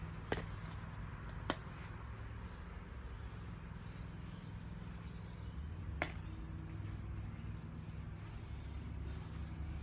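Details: Low hum in a small quiet room, broken by three sharp snapping clicks, with no animal sounds.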